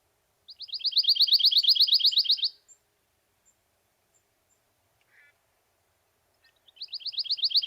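Pine Warbler giving a soft, almost liquid trill of rapid even notes lasting about two seconds; another similar trill starts near the end.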